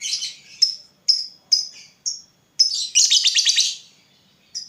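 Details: Lovebird used as a lure to make other lovebirds answer. Short, sharp, high chirps come about every half second, then a loud squeaky burst of quick notes, with a final chirp at the end.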